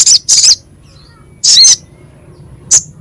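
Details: Crescent-chested babbler, coarse-voiced masteran for training songbirds: a few loud, scratchy high bursts, two close together, then a longer rasp and a short chip after a pause.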